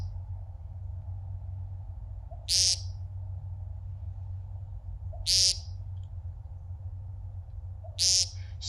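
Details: American Woodcock at dusk in Kentucky, early spring courtship: three harsh, nasal, buzzy peents about every three seconds over a low rumble; the ground song attracts mates and defends territory before the display flight.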